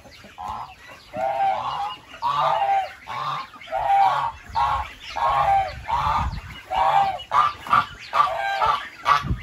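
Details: Goose honking repeatedly, around forty-four nasal, braying honks a minute, fairly evenly paced, with the last calls shorter and quicker.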